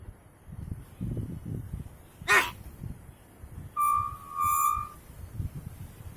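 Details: Common hill myna (beo) presented as talking: a short harsh, broadband burst, then after a pause a loud steady whistled note with bright overtones, held about a second and broken by a brief gap, over low background rumble.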